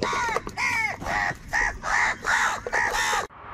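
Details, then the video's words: Crows fighting angrily over food give harsh, nasal caws, about six in quick succession, each rough and slightly falling, with faint background noise. "Crow birds unity anger and Sound | কাকের ডাক Crow Sound Crow ki Awaz Loudly"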